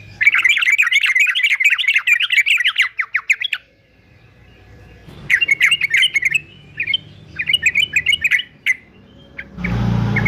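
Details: Male fighter yellow-vented bulbul (trucukan) sung for training caged songbirds: a rapid burst of bubbling, warbled notes around the upper-middle range for three seconds, a pause, then shorter choppy phrases, ending in a burst of broadband noise.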